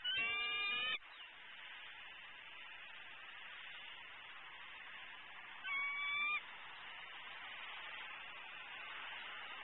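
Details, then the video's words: Female eagle at a nest, calling around 11am on 12-11-14 while her mate perches nearby eating a prey item; impatient, hungry vocalizing. A harmonic, chattering call opens the recording, and a shorter, higher squeal follows after a steady background hiss. "SWFLEagles~Vocal, Impatient, Hungry & Pushy"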